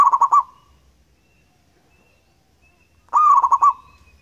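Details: Zebra dove, a local wild perkutut in full song: two loud bursts of quick, rolling staccato coos, the second opening with a short rising note, separated by near silence.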